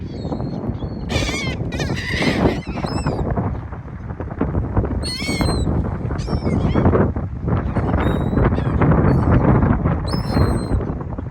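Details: A group of seagulls at a beach by the sea, interacting with people: frequent overlapping shrill, wavering squeals and cries in bursts throughout, over loud, steady roar of waves and wind.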